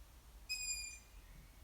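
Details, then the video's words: A single thin, high, squeaky call from a juvenile long-eared owl, drawn out and slightly fading, heard against quiet low background rumble. "Juvenile Long-eared Owl Call. Hornuggla unge läte"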